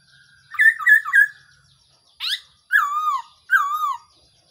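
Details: Black-throated laughingthrush, recorded as a trapping lure: three bouncy chattering notes, then a sharp rising note and two full, wavering whistles that drop in pitch.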